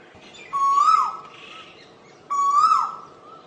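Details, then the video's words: Two clear, whistled Asian koel calls, each a drawn-out note that climbs and then drops, about one and three-quarter seconds apart, over low background hiss. "เสียงนกกาเหว่าหรือนกดุเหว่า Asian koel sound"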